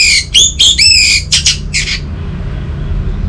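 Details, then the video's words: Anis merah, the orange-headed thrush, in a brief energetic phrase of slurred whistles and harsh, squawk-like high notes, fading into quiet background hiss after two seconds. "Burung ANIS MERAH Macetan Terpancing Gacor Didengarkan Kicauan Ini"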